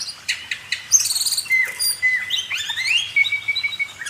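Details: Oriental magpie-robin (kacer) song for training cage birds: sharp clicks give way to long sliding whistles and rising, rippling phrases.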